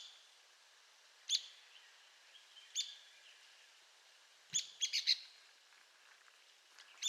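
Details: Arizona woodpecker calling with sharp, high, single notes at intervals and one quick cluster of four to five notes, over light background hiss.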